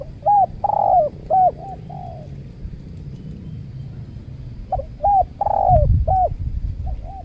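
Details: Spotted doves calling while being lured with a trained decoy at a new location by a durian orchard, where a wild dove struck the decoy and fled. Loud bursts of hooked coos come in two groups, with softer coos between, over low noise.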